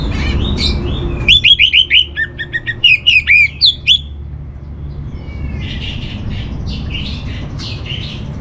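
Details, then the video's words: Orange-headed thrush master song for training: a fast run of sharp whistled notes, repeated downslurs and upward flicks, several times a second for about three seconds, then softer warbled phrases over low background hum. "Menstabilkan Burung ANIS MERAH Dirumah Baik EMOSI & Birahi dengan Mendengarkan Kicauan Masteran ini"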